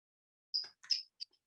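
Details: A California Towhee in Los Angeles County gives three or four loud, sharp, metallic chips, high and abrupt, in quick succession over about a second; California Quail and California Thrasher may be heard in the background of the recording.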